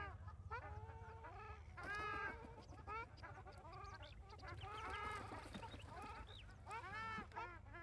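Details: Ruddy Shelducks at Maguri, Assam, give loud, nasal, goose-like honks, several birds overlapping in bursts every second or two, over a steady low rumble.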